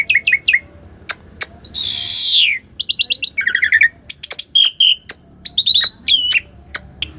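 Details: Asian pied starling song recorded from a caged bird, used as a master track to coax a silent starling into singing: rapid rolling chip series, a harsh rasping burst, downslurred whistles and buzzy trills in varied, full phrases.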